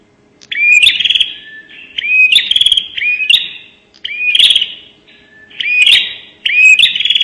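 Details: Bar-winged prinia lure call of the prenjak nembak style: rapid, repeated phrases of a short upslurred whistle joined to a buzzy, rattling trill, coming about every one and a half seconds.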